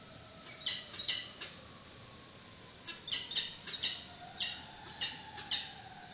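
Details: Peregrine falcons at a nest on a live webcam in 2019, at the first feeding of a chick with a yellow prey bird. Harsh, high squeals are given in uneven groups, with a faint hum in the background.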